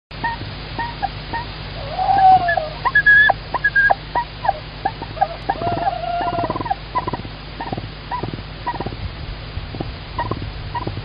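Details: Female tawny owl at a live-camera nest, 25 March 2019, vocalizing as the male again brings food: soft wavering hoot-like calls mixed with scraping, knocking and shuffling noises inside the nest.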